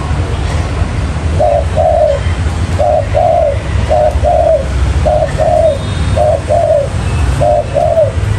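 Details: Spotted dove used as a bird-trapping lure, giving a steady run of six soft double coos, short then longer and downslurred, about once every 1.2 seconds over low rumble.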